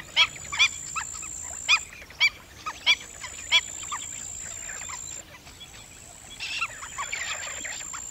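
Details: Black-winged stilt calling with short, barking yelps in an irregular series, louder early on, then fainter, with softer calls and a constant high whine behind.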